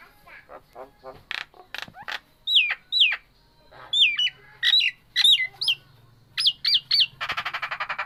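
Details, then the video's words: Nias hill myna, a kept bird, in an energetic, varied sequence: clicks and harsh notes, then loud looping whistles that rise and fall, ending in a rapid rattling burst. "Burung jalak Nias super gacor.."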